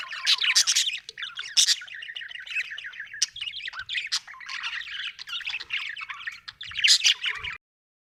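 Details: Happy budgerigar chirping in a rapid, busy stream of bright, scratchy chirps and short squawks. It runs almost continuously for about seven seconds, with louder bursts near the start and end, then stops abruptly.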